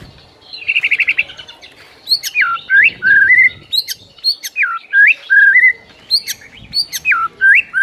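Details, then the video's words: White-rumped shama masteran song in the morning: clear whistled notes, upslurs and downslurs in quick varied phrases after a short buzzy trill, with sharp high ticks between notes. "1 MENIT LANGSUNG GACOR ON DENGAR MASTERAN MURAI PAGI HARI INI"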